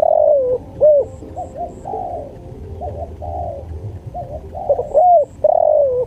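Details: Spotted dove cooing in a tutor recording for training birds: soft, low cooing phrases with rising and falling notes and a drawn-out descending coo, repeated across the stretch with quiet gaps between.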